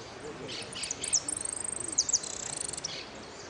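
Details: Hooded siskin singing at a contest final in Merlo: high sliding chirps leading into a long, rapid, even buzzing trill, with soft human voices in the background.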